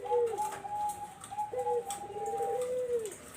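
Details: Barbary dove, kept as a lure for zebra doves, giving a low, purring coo that ends with a downward slur. A steady, higher sustained tone runs above it throughout.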